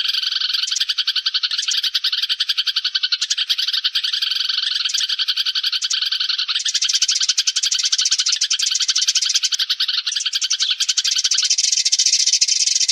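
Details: Sparrow flock call used as a lure for trapping birds: many chirping voices running together into an unbroken, lively chatter that grows higher and sharper in the last seconds.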